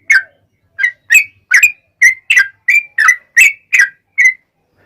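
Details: Yellow-vented bulbul giving vigorous long rapid song to draw answers from other bulbuls. After one opening note and a short pause, clear slurred whistles follow at about two and a half per second, the recording otherwise quiet.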